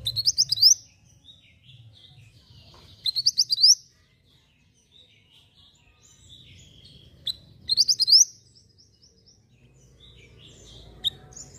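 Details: Javan white-eye singing as tutoring material: three separate bursts of fast, high-pitched rising chirps spaced about three to four seconds apart, softer twittering between them, faint low rumble underneath.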